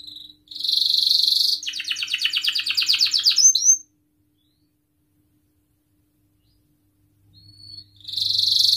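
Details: Canary song meant to coax other canaries into singing: a dense buzzy burst, then a rapid pulsed rattling trill, several seconds of silence, and another buzzy burst at the end.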